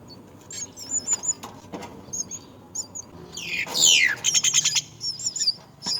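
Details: Myna at its nest with young: scattered high chirps, a loud falling rasping call, then a quick string of pulsed notes and more chirps.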